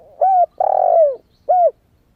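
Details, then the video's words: Newly calling young spotted dove used to attract wild doves. A single three-part phrase: a smooth coo, a longer rolling coo that dips downward, and a brief closing coo. "Tiếng chim cu gáy mới nổi kích mồi hiệu quả"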